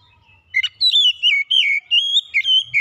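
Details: Gacor song of an oriental magpie-robin, played as a therapy track: after a short pause, a lively string of clear whistled notes rising and falling, joined in quick succession with brief gaps.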